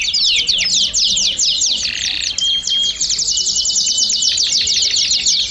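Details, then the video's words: Group of domestic canaries in full song, used to stimulate singing: bright, rapid chattering trills stack densely, with one brief sustained whistled note midway. "BADERNA DE CANÁRIOS DO REINO - TOP PARA ESTIMULAR O CANTO!!!"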